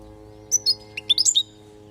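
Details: A single European goldfinch teaching phrase from Palestine, meant for young birds to learn: two clear high chirps, then a fast tumbling run of bright, slurred twittering notes, over a faint steady low hum.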